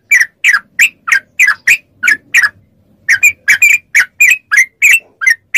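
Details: Yellow-vented bulbul song played as training audio to make captive bulbuls respond: bright, chirpy notes near mid pitch repeated rapidly, about three per second, with a short pause midway.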